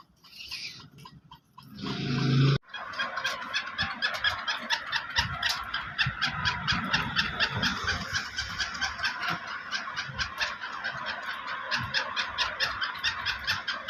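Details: Black francolin, black Sindhi variety, captive: after a loud broadband burst and a brief gap, harsh clicking notes repeat rapidly and unevenly, about two per second, against a busy rustling background.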